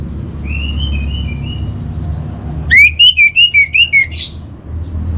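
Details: Orange-headed thrush master song, played to caged birds at home to steady their mood and breeding drive: faint whistled phrases, then a loud run of about six clear, slurred whistles near one pitch, with a low hum underneath.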